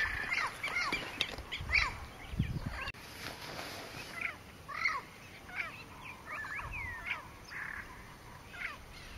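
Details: Southern screamer with juvenile, Pantanal, Brazil (Porto Jofre), 25 September 2013: a run of repeated nasal honks and short descending yelps, loud at first then quieter, roughly one every second or so.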